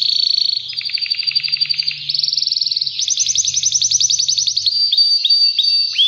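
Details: Male Spanish Timbrado canary, two years old and half frill, ready to breed, delivering loud rapid rolling trills that change speed and pitch in successive sections, then clipped upslurred notes, with a faint low hum behind.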